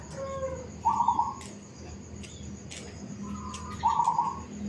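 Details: Zebra dove in a suburban housing estate giving two rapid purring, trilled coo phrases about three seconds apart, each led in by fainter introductory notes, with a steady low hum behind.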